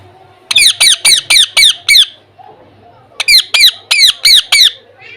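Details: A pet parrot, described as a talking parrot, gives two loud runs of about six harsh, downward-sliding squawks each, evenly spaced, with a short pause between runs, indoors.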